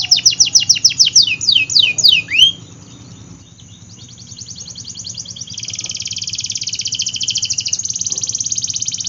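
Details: Canary singing a lively song: rapid series of descending sweeping notes, a few rising whistles, then a long fast buzzy trill after a short pause, over a steady low hum.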